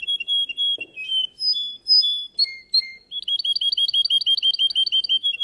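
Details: Singing contest entry, a Russian canary: rapid whistled notes jumping between pitches, a few downward slides, then a quick regular trill of paired rising chirps lasting over two seconds.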